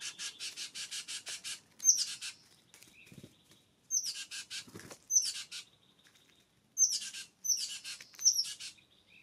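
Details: California scrub-jays at a mountain bird feeder in Descanso, Cleveland National Forest, feeding in the early morning; loud harsh, rasping calls in fast runs and paired bursts, each opening with a sharp high note, separated by brief pauses and some rustling.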